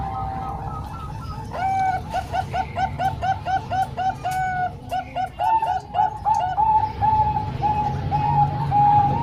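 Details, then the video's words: Zebra dove, Bangkok and local strains combined for training young birds; a series of short repeated cooing notes near steady pitch, about a dozen in quick rhythm, ending in a longer sustained coo, over a low background hum. "Kombinasi 3 Suara Perkutut Bangkok Dan 1 Lokal|Untuk Melatih Perkutut Bahan"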